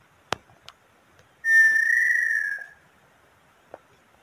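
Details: Female small-billed tinamou from Brazil giving a long, clear whistled note, level and slightly falling as it fades, between scattered dry clicks before and after.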